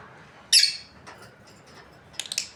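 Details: A breeding pair of lovebirds: one loud harsh squawk, then quieter faint notes and a burst of rapid shrill chirps near the end.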